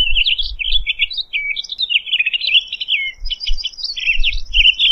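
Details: Townsend's solitaire singing a long, rambling warbled song of quick rising and falling whistled notes, high and continuous over five seconds, with faint low thumps beneath.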